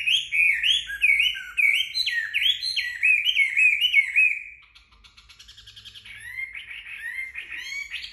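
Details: Chinese hwamei drying its feathers in the sun after a bath, singing a string of bright, repeated looping whistles, a brief lull of soft rapid ticks, then rising whistled notes again.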